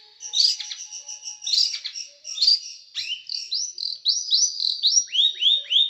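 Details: Small bird singing a sharp, tight, rough 'shooting' song used as masteran for training cage birds: dense high chattering notes, then a run of rising-falling slurred whistles repeated about twice a second.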